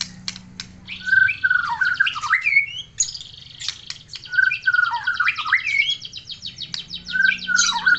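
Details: White-rumped shama from Aceh singing energetically, repeating a similar phrase about every three seconds: buzzy rattling notes that run into twisting, descending whistles.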